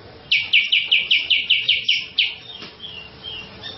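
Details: Cucak jenggot, a national champion songbird played to stir other birds to sing: a quick run of ten loud, falling notes at about three per second, fading into softer, thin whistles.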